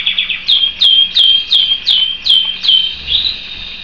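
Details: Domestic canary repeating clear, falling whistled syllables roughly three times a second, then sliding into a softer rising trill; a low background hum is present.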